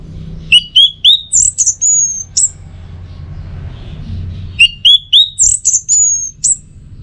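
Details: Two matching phrases of orange-headed thrush teler song, each opening with quick rising chips and ending in long, thin, high drawn-out whistles, separated by about two seconds of quiet; anis merah is its local name.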